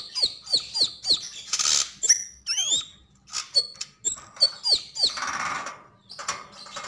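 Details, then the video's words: Sogok ontong, the Javan grey-throated white-eye, singing hard: clusters of bright, steeply falling whistles, a few upslurred notes and short rough bursts, all high-pitched and loud, with a low hum beneath. "Sogon sogok ontong gacor dan ngobra"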